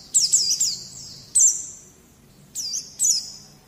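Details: On a tutor recording for young birds, a white-eye gives four short bursts of very high, downward-sliding whistles separated by brief silences.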